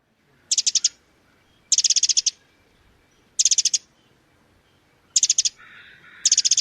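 Winter Wren giving short, high, rapid ticking bursts of about six notes, repeated every second or so. A crow's harsh call is faintly heard near the end.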